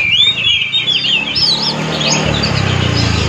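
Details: Oriental magpie-robin song used as a lure to trigger singing in other magpie-robins: looping whistled phrases over a steady low hum and hiss, the song fading into the noise toward the end.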